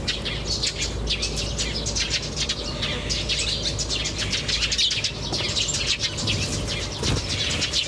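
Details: Outdoor birds twittering nonstop, a thick wash of rapid high chirps and trills throughout, with a constant low background rumble.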